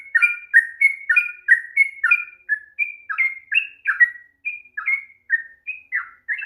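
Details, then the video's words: Sooty-headed bulbul pouring out a rapid, lengthy song meant to arouse quiet birds: crisp whistled notes, each with a quick downward slur, repeated about once to twice a second and gradually spacing out. "kicauan TRUCUK ROPEL PANJANG// perangsang bunyi trucukan malas bunyi"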